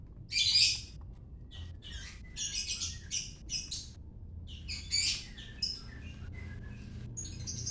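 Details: White-rumped shama in Medan singing a quieter, broken series of buzzy, scratchy high bursts and thin short notes, separated by brief pauses, over a faint low hum.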